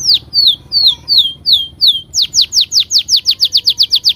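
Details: Canary singing long, energetic 'gacor' lure song meant to provoke other canaries into singing: a run of descending whistled slurs about twice per second, then a fast, regular trill of sharp downward sweeps.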